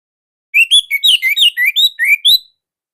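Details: Orange-headed thrush from Indonesia, kept as a songbird, singing loud nonstop song for training others: a two-second phrase of about ten rising and falling whistled notes, each clear and slurred.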